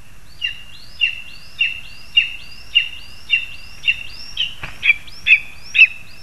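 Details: Lesser spotted eagle adults delivering food to the young on 2 August 2020: about eleven high yelps spaced evenly, growing louder near the end, with one brief thump midway and a steady faint whine.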